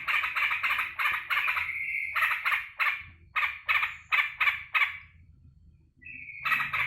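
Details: Caged sooty-headed bulbul calling excitedly as it greets its owner home from work: rapid runs of harsh, chattering bursts in quick succession, a short pause, then a brief level whistled note before the chatter resumes.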